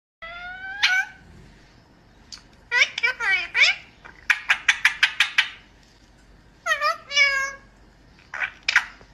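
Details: Rose-ringed parakeet kept as a pet, talking and saying "I love you": nasal, voice-like syllables in several short bursts, some harsh rapid stuttering notes, with quiet indoor pauses between.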